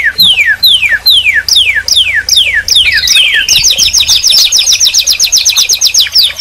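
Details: Canary song: about eight clear whistled notes sweep steeply downward at steady intervals, then a twisting phrase leads into a dense, fast buzzing trill held to the end.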